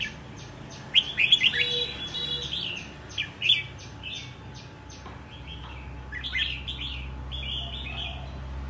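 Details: Wild-caught red-whiskered bulbul, caged for a year and called ready to compete, opens with loud clustered whistles and ticking clicks, then a longer flowing warble toward the end, above a low hum.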